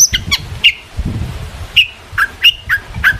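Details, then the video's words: Long-tailed shrike song played to provoke rivals into answering: short, sharp, whistled notes dropping in pitch, scattered irregularly with gaps, over a soft low background hum. "burung cendet gacor FULL EMOSI pancingan CENDET AGAR NYAUT"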